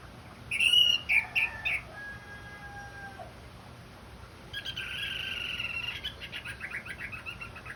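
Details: Orange-headed thrush in a therapy recording to get the bird singing: a burst of quick high whistled notes, then a faint lower whistled slide, and later a dense scratchy run of rapid twittering notes lasting a few seconds.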